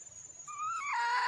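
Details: Wild female red junglefowl calling for a male: a drawn, slightly rising note that breaks into a harsh, buzzy, harmonic-rich call at the end. A steady high hiss sits in the background.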